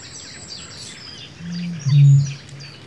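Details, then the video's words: Bittern booming: a deep, hollow boom, a soft low lead-in swelling into one resonant foghorn-like note, with faint songbirds chirping high in the background. "Bittern booming"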